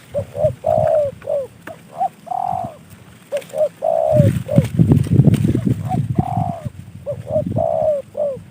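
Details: Caged spotted dove, a gift from a fellow hobbyist, giving its cooing phrases of short notes and a long falling coo, with low rumbling and handling noise in the middle.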